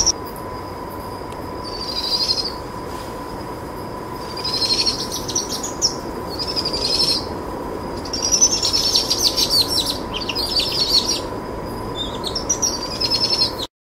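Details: Powerful owl chicks, two of them fed by their mother on a possum held all day at the roost, trill insistently after dusk; repeated high pulsed trills build through the passage, longest and densest toward the middle, over a steady low hum.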